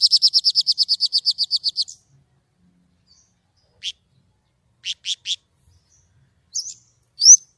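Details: White-rumped shama in gacor nembak song with a clear voice: a rapid series of about fifteen high, evenly spaced chips, then long quiet gaps broken by a few short notes and two rising whistles.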